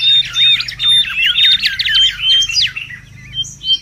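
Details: Wild mangrove whistler in busy, excited song, kept as a lure and tutor recording; a dense stream of quick looping twitters mixed with short pure whistles, fading to scattered thin notes at the end.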